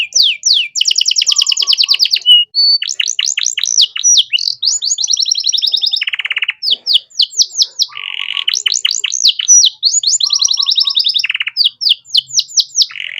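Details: Canary master song for tutoring young songbirds: continuous energetic warbling with fast repeated trills, buzzy rolls and sweeping whistled notes, varied phrases following one another without pause.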